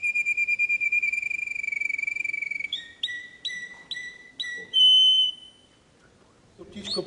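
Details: Canary song meant for tutoring young birds: a long, steady, rolling whistled trill, then a run of short repeated notes stepping down in pitch, one bright sustained note, a pause, and a brief noisy burst at the end.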